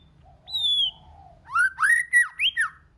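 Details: White-rumped shama singing many voices to rouse its kind: one high falling whistle and a soft low hum, then five quick loud whistled notes arching up and down in a lively phrase.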